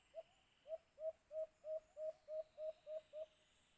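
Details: Cage-trap hunting of the white-eared brown dove, or alimokun: a long run of about eleven low, hollow hoots on an even pitch, starting soft then louder, steadily repeated roughly three times a second over a faint, constant high hiss.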